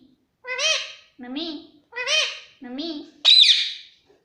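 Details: Indian ringneck parakeet at home giving four alternating nasal, voice-like syllables in a steady pattern, ending with a sharp, high, harsh squawk.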